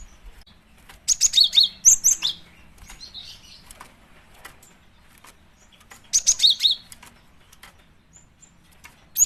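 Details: Female cinereous tit calls used as a lure for attracting birds: two bursts of quick, very high, thin squeaky notes and chips lasting about a second each, separated by about four seconds of near silence.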